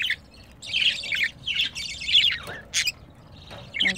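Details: Pair of pet budgerigars, male and female, recorded while mating; scratchy, grating warble phrases broken by sharp high clicks and a brief squawk near the end.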